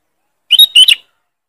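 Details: Sooty-headed bulbul (Pycnonotus aurigaster) gives a loud, sharp lure call used to lure other bulbuls: a quick two-part phrase of bright chirping whistles, about half a second long, against silence.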